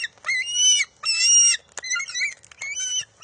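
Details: Eaglet of a bald eagle pair, June 23, 2021, grabbing back a fish from its mother at the nest: four shrill whines, the first two long and level, the later ones broken and wavering, with a thump.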